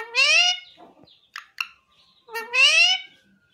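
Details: Pet pahadi parrot known for saying "mummy": two loud, rising-then-level nasal squawks about two seconds apart, with a few soft clicks and brief chirps between them in a quiet setting.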